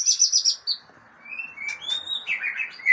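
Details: White-rumped shama from Aceh, described as a super fighter, gives high bright notes near the start, then a pause and scattered whistled slurs rising and falling through the rest.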